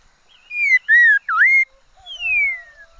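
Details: Liocichla kept as a decoy bird sings a loud whistled phrase of three slurred notes, the last dipping then rising, followed by a long descending whistle over a soft lower tone.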